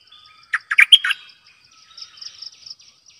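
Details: A caged bulbul used as a decoy delivers one quick phrase of four loud, fluty, bubbling notes, followed by softer faint chatter and a steady high insect-like pulsing in the background.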